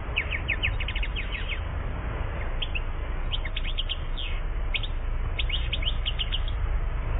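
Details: One-year-old European goldfinch from Algeria, 2014, opening with a rapid series of tinkling notes, then short twittered phrases broken by pauses, over a constant low drone.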